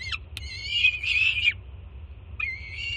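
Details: Juvenile peregrine falcon screaming as its mother brings breakfast to the Jersey City nest; one long, rasping, drawn-out scream with a sharp click before it, a pause, then another scream beginning.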